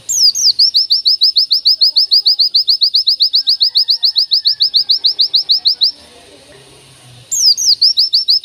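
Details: A long single-line 'tembakan' master song from an oriental white-eye: fast, even series of sharp rising chirps lasting about six seconds, a brief quiet gap, then a falling whistle leading into another chirping burst.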